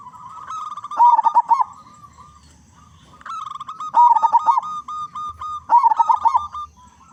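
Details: Big-voiced local zebra dove in full song, played to coax other zebra doves into singing; three phrases of quick pulsing coos tied to long steady tones, repeated every two to three seconds.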